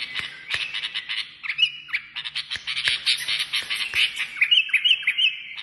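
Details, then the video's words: Kashmiri songbird delivering rapid, buzzy chattering phrases that change into sustained whistled tones, mixed with sharp clicking sounds. "تغريد كشميري"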